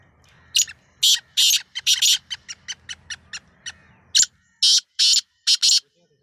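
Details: Black francolin (kala teetar, Sindhi nassal), season's first try: repeated harsh, scratchy bursts. A series of shorter clipped notes runs in the middle, then four more loud rasping calls, with faint background rumble.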